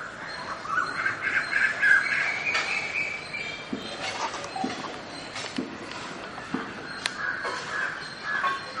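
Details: Rose-ringed parakeet peeping from its nest, probably incubating, in Mylapore, Chennai, India, 1 May 2011, hot season; soft high peeping notes, busiest in the first three seconds, then scattered sharp chirps over distant birds and outdoor noise.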